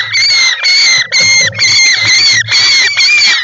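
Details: A European roller, recorded by an inside-nest camera on 18 July 2024, gives harsh, rasping calls in a loud, nearly continuous run of strained bursts about twice a second, with a faint low hum underneath.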